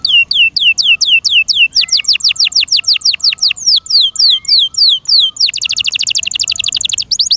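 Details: Kept canary pouring out a loud song of descending whistled sweeps, several a second, speeding into a rapid run, then closing with a dense fast high trill.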